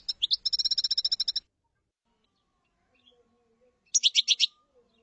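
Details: Common chaffinch singing: a rapid, even trill of about a dozen bright, high notes over a second and a half, then after a pause a shorter burst of five or six loud, buzzy notes, in a quiet setting.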